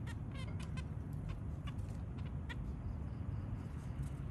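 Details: A zebra finch family with three babies gives its early morning call: short, nasal, toy-trumpet beeps, several in the first two seconds and another later, over a steady low rumble.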